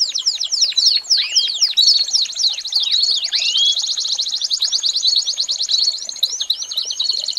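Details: Young birds' tutor song from an American Singer canary: a burst of sharp descending whistled notes and swoops that runs into a long, even, rapid trill, ending with a few curved chirps.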